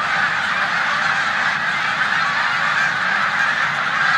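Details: Huge flock of snow geese resting in a corn field in Savannah, New York, on 14 March 2020 during spring migration, Canada geese also present; dense steady chorus of shrill barking honks with no pause.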